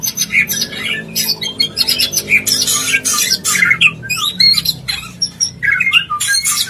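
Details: White-rumped shama mating call meant to bring a bird into breeding condition: dense bursts of harsh, scratchy notes mixed with short bright whistles, tumbling rapidly with little pause throughout.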